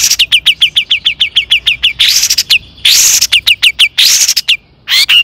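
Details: Long-tailed shrike in excited song, used as a lure for other shrikes. Very rapid, ticking, repeated high notes run in fast trains, broken by loud, harsh, noisy bursts.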